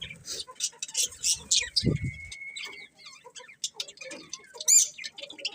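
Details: Pet budgies make sparse, clipped high chirps and a thin steady whistle lasting about a second, with quiet gaps and a soft low knock between calls.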